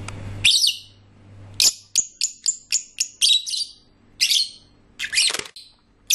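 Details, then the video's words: Lovebird song made of high, harsh squawks and a quick string of sharp, bright chirps, some whistled notes repeated about every third of a second, with a brief low hum at the start. "Love birds singing nicely"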